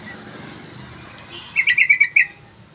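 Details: A sooty-headed bulbul sings one lively phrase: about six bright, bubbly chirps in quick succession, loud and clear after a second of low murmuring background noise.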